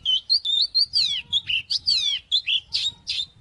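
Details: Oriental magpie-robin in fighting mode, singing to provoke rivals: continuous loud, sweet whistled phrases with sharp downward sweeps and quick twisting notes, delivered almost without pause over a faint low background.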